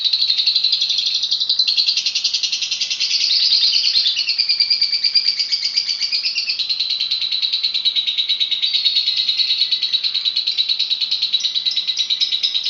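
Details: Lovebird singing at length, described as enchanting, persistent and full of varied notes: a continuous, rapid, high buzzy chatter with fast rhythmic pulses, gliding and sweeping phrases midway, then steady trilling throughout.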